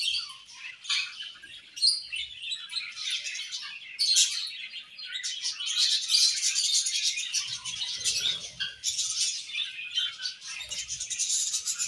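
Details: Budgerigars at playtime, singing and chirping: a dense, continuous high warble of chatter, rapid chirps and scratchy notes that swells and fades in waves, with louder bursts near the start and middle.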